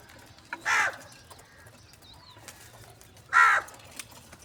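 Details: Crow calling for food in the morning, giving two loud hoarse caws about two and a half seconds apart, with a faint distant bird whistle between them in a quiet setting.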